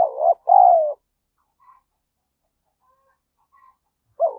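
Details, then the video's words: Lure spotted dove cooing: a brief note, then a long hoarse falling coo, some seconds of near silence with faint soft notes, and a new phrase beginning at the end. "chim cu gáy mồi gáy thúc và gù"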